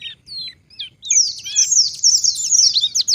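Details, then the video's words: Oriental white-eye from the wild, its song used as a lure to draw replies from other white-eyes; a few sparse high chirps first, then after one second a dense, fast twittering burst of sliding whistled notes. "PANCINGAN PLECI NGALAS - putar 2 menit saja.! PLECI apapun nyaut"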